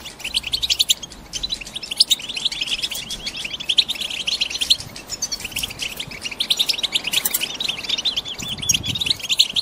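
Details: Excited female European goldfinches in a cage, described as ready to mate and lay eggs, calling to rouse a male into song for breeding. Continuous bright twittering from several birds, with short breaks and bursts of sharp notes.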